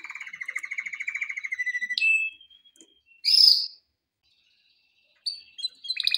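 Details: Male canary song for training: a rippling, slowly rising trill, a short held whistle, a single loud burst after a pause, then silence before high clipped notes return at the end.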